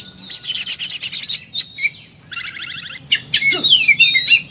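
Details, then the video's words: Oriental magpie-robin giving energetic fighting song: loud buzzy bursts, a long rattling trill and clear descending whistled slurs in quick succession. "Kacer full tarung muntah materi"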